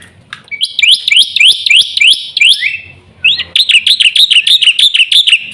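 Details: Black-winged myna song of upward-slurred whistled notes at about three per second. After a brief gap, a faster string of rising notes follows.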